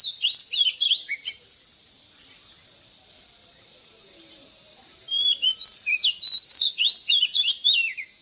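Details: Morning song of an old wild oriental magpie-robin, used to train caged birds. Quick bursts of high whistled and chirping notes at the start, then a long near-silent pause with a faint steady tone, then another rapid whistled phrase.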